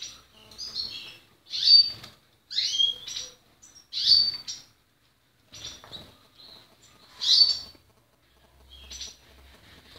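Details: Portuguese Harlequin canary singing loud, high, sharp chirped phrases about every two seconds, each a quick bright burst, with softer twittering notes between and near-silence at times.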